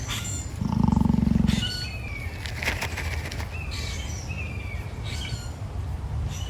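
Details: At an animal park, an emu snorts once: a single deep, buzzing pulsed rumble lasting about a second, followed by quieter outdoor ambience with scattered faint chirps and rustling.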